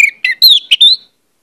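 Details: Orange-headed thrush (anis merah) giving a short pancingan lure phrase: a quick run of clear slurred whistles over about one second, a longer falling note near the end, then silence.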